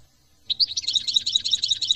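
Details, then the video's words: European goldfinch in France starting its song with a slurred note, then a quick, rhythmic series of bright twittering, tinkling chirps. "chant de chardon"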